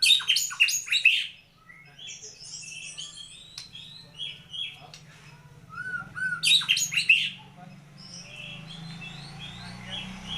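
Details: White-rumped shama, a prized songbird, opening with loud cascading whistled notes, then softer varied chattering and mimic-like phrases, another loud burst near the middle, low hum in the background.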